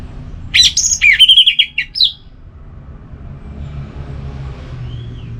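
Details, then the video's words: Orange-headed thrush giving a relaxed song: one varied phrase of rapid, sliding, whistled notes lasting about a second and a half, followed by quiet with a soft distant whistle and low rumbling hum. "Anis Merah Bunyi Santai"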